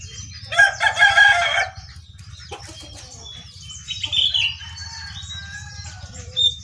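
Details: Jongkangan on top of its cage: a loud rasping burst and some wing flutter, then thin clear whistles, single notes and short slurs, over a steady low hum.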